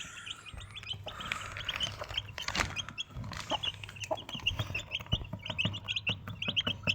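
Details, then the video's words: Mother desi hen with four chicks; a chorus of high, quick peeps from the chicks runs throughout, mixed with low clucking and scattered taps and rustles. "Desi Chicken 1 Mother Chicken 4 Baby Chicks"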